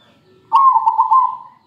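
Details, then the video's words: Zebra dove singing, used as a lure for training other birds: a single rolling coo of about one second, a quick stuttering series of pulses fading away, in quiet surroundings. "Suara perkutut gacor buat pancingan"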